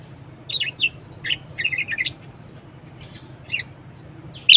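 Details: Budgerigar used to teach other birds, giving a string of rapid warbled chattering notes, then a pause and a few more chirps ending on a loud squeak.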